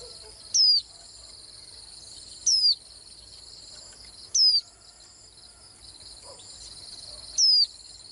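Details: Swinhoe's white-eye giving four sharp, high, descending whistles, each about a quarter-second long and spaced roughly two seconds apart. A constant shrill insect buzz runs underneath.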